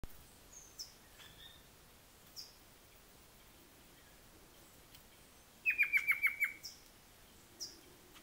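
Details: An agitated Rufous-capped Antthrush, recorded alongside a gnateater, gives a quick burst of about seven sharp, harsh, slightly descending notes in under a second; scattered thin high chips come from other birds.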